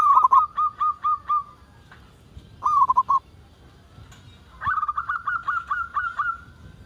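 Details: Local zebra dove in full voice, used to draw other zebra doves into calling: a string of six quick cooing notes, a short stuttered trio, then a higher, brisk series of rolling coos.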